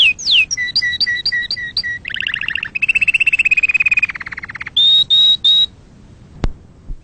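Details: Varied canary song for breeding and tutoring chicks: a falling slur, repeated paired notes, buzzy double rolls, a long level trill and three high whistles, followed by near quiet with one sharp click.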